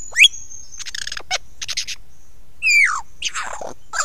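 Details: A lyrebird sings close up on Ben Ricketts on 16 November 2022 at 9 AM, a varied medley: a sharp upward whistle, a long high tone, clusters of buzzy rattles and a slurred falling whistle, all within four seconds.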